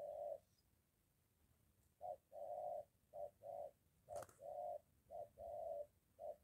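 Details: Spotted dove calling near a home, with a molting decoy bird facing a wild one; one coo, a pause, then a steady series of short-long hollow coo pairs, with a single sharp click midway.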